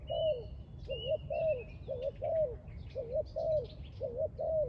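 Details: Spotted dove at a trap, giving repeated short, hoarse cooing phrases, each a quick double-humped coo, about one phrase per second; thin whistles of other birds sound higher above, with a low background rumble.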